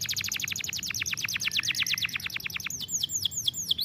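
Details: Canary singing as a training song for canaries: a rapid rattling series of sharp downward-swept notes, then slower, looping, whistled notes repeated several times per second; faint low background hum.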